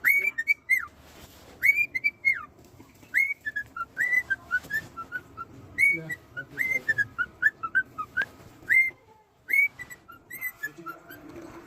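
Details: A pet cockatiel (Nymphicus hollandicus) whistles a lively tune of short rising and falling notes, repeated in quick phrases.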